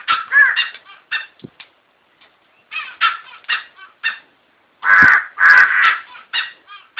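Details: Grey junglefowl giving a loud, harsh, broken crow of clipped staccato syllables, with softer stuttering notes before and a strong three-part burst near the end, in an otherwise quiet background.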